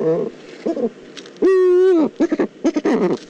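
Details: Eurasian eagle-owl in the Eifel, 22 October 2014: a long, even, resonant call of about half a second with a falling tail, set between clusters of short, rapid, uneven bursts.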